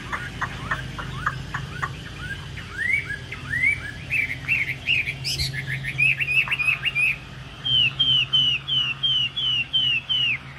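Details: Vietnamese caged hwamei with yellow beak and legs and a spread tail, once ranked top ten at Thanh Trì: quick clipped notes build into loud repeated downslurred whistles, several per second, over a faint low hum.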